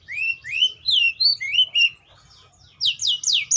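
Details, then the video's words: Atlantic canary singing a sequence of rising whistled notes, each slurring upward, then a short pause and a few fast high downslurred notes. "THE SOUND OF THE CANARIA SERINUS ORIGINAL SOUND LIKE IN THE WILD"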